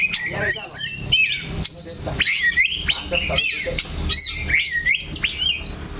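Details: Oriental magpie-robin (kacer) singing from a perch, holding one spot while it sings: rapid, varied whistled and chattering phrases with sharp upslurred notes and high trills, almost continuous, a faint voice briefly underneath.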